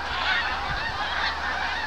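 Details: Migrating snow geese passing overhead in autumn above a farm in the St-Lawrence lowlands at Farnham, Quebec; a steady blended chorus of countless high honks from a huge flock.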